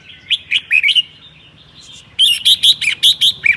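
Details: Red-whiskered bulbul, a seven-claw bird, singing a chattering song on a cold day in Son La: two bursts of quick, bright whistled notes, about five each, separated by a pause.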